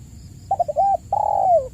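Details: Spotted dove lure call, meant to coax silent caged doves into calling: a few quick stuttered coo notes lead into a long, smooth coo that slides downward at its end, over a faint low hum.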